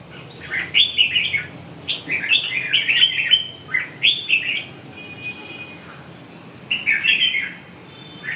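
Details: Red-whiskered bulbul delivering several short, rich warbled phrases of rising and falling notes, spaced by pauses, with a steady faint hiss behind.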